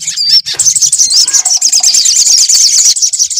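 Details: Sunbird song for luring a bird to sing: a continuous, loud, very high chattering trill with thin whistled slurs woven in and a faint low hum underneath.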